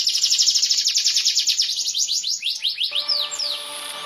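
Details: Timbrado canary delivering a forceful song: a rapid, evenly pulsed high trill of about twenty notes slowing into separate downward slurs, ending with a faint steady tone.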